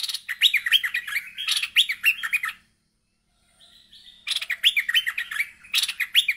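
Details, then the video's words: Merbah lekir bulbul, agitated and calling out to a rival, gives two fast bursts of harsh bubbling chatter with sliding notes, split by a short silence and a brief thin whistle. "Merbah Lekir Ngamuk Manggil Lawan"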